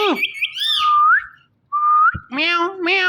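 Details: Ringneck parrot kept as a pet, chattering to a phone: slurred speech-like syllables, two clear upslurred whistles, then nasal harmonic mimicked words.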